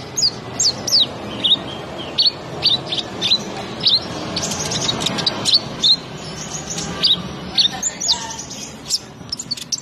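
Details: Brown-throated sunbird, known locally as konin, singing 'gacor' style: sharp, high, downslurred chirps repeated about every half second, interspersed with scratchy notes, over light background hiss.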